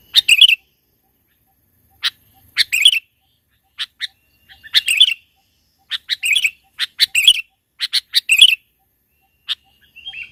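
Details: Very vocal sooty-headed bulbul in mountain country, its song used as a trapping lure: a rapid run of bright bubbling chirped phrases with brief gaps, some single sharp notes, and a soft whistled ending.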